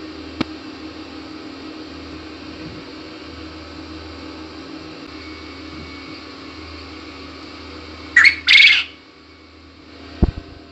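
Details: Quail giving one two-part call, a brief high squeak and then a harsher drawn-out note, heard late after a long near-silent stretch with occasional soft taps.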